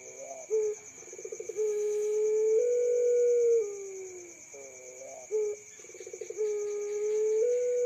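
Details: Young puter pelung dove, a bird that calls by day and at night, giving low, drawn-out coos that open with quick pulsed stutters, then hold and slide downward, repeated in phrases over a steady high electronic whine.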